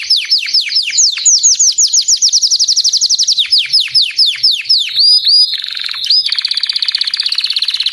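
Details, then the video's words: Crested white Belgian canary in full song, rapid series of steep descending whistled sweeps, about four per second, shifting into a high ringing note and then a dense buzzy rattle. "Canário belga branco de topete cantando"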